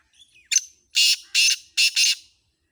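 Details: Sindhi black francolin (kala tetar) calling: soft faint notes lead into a sharp short note, then harsh, grating, buzzy bursts, the final pair nearly merged. Quiet background.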